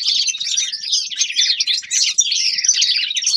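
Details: Linnet, a young male, sings a quick jumbled warble of high chirps and trills without pause, recorded in winter.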